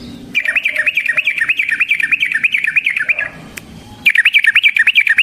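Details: Sooty-headed bulbul in energetic 'gacor ropel' singing, used as a lure to provoke other bulbuls and for trapping: rapid, bubbly chattering trills repeated fast and continuous, briefly pausing before another burst of quick chirps.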